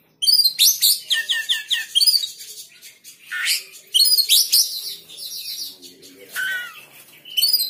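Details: Oriental magpie-robin reacting to another bird's sound and joining in, delivering loud varied whistled phrases with rapid chattering runs, rising and falling sweeps, and short pauses between bursts.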